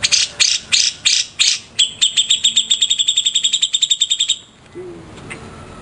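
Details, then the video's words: Master-bird Grey-cheeked bulbul (cucak jenggot). It starts with several broad, harsh bursts, then gives a long, accelerating series of clipped high chips that ends abruptly. A brief low sound follows. "Cucak Jenggot Istimewa, Burung Master kesayangan"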